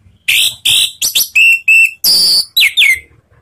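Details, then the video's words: Ngeriwik-style lure song of an orange-headed thrush, meant to get other birds of its kind singing: bright whistled phrases alternating harsh, broad bursts with clean steady and steeply falling whistles, delivered in a quick, loud sequence. "Langsung GACOR ANIS MERAH manapun denger SUARA NGEPLONG ini ¦ PANCINGAN Ngeriwik"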